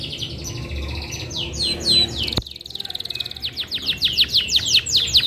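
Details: Canary song made of rapid downward-sweeping whistles, a sharp click partway through, then a quick dry trill and more repeated bright slurred notes, with a low background hum.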